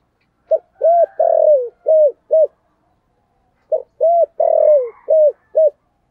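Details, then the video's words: Spotted dove calling loudly, 'thổ sấm' style: two identical phrases of five deep coos, a brief note, an arched coo, a long falling coo, two short ones, separated by about a second of quiet. "cu gáy giọng thổ sấm gáy gọi cực đỉnh vang cả xóm"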